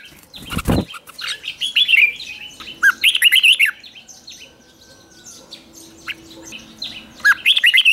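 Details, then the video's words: Red-whiskered bulbul singing for morning training toward competition song. Repeated bright, bubbling warbled phrases, a short sharp clatter near the start, and thin whistles in a quieter middle stretch. "Luyện chào mào hót sáng | chào mào hót đấu"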